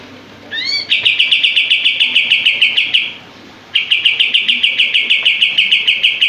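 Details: Kapas tembak, the common iora, delivering long master-song bursts: a short rising whistled slur, then rapid dense repeated buzzy notes, a pause, and another fast string of tight, shot-like notes.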